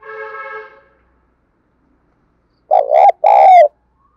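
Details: A brief harmonic, horn-like tone comes first. After a pause, a decoy spotted dove gives one hoarse two-note coo in the thúc bổi style, which is used to make wild doves coo back.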